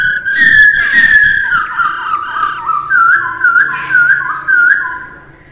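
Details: A female masked laughingthrush during dawn voice training gives a loud whistle, then a string of ringing notes with low, wavy sweeps, repeated about every half second.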